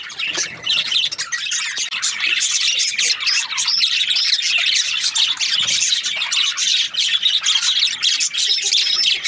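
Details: Australian budgies chirping steadily, a thick layer of shrill twitters and scratchy warbles overlapping from start to finish.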